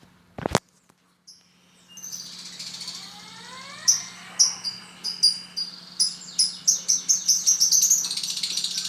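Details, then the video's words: Lovebird kept as a pet, singing: after a brief click and quiet start, high thin chirps build into a fast series of sharp repeated notes, about one every third of a second toward the end. "Love bird"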